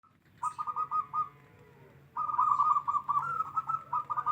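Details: Wild local zebra dove singing with a big "kung" note: two bursts of rapid, soft, purring coos at a steady pitch, the first short, the second longer and rolling after a brief pause, with faint background hum.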